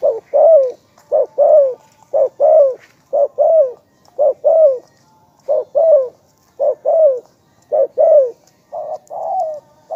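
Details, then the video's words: Long, lively series of spotted dove coos: paired notes, a clipped coo then a longer downward-sliding one, repeated roughly every second in a steady, rhythmic run. "นกเขาใญ่ ,เจ้าพายุเสียงทอง,เรียกหมานๆ100%"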